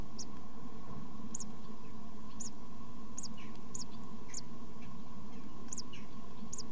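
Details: Young tits in a nest box during their first two weeks, irregular, thin, high-pitched peeps, some in quick pairs, with a constant low electrical hum.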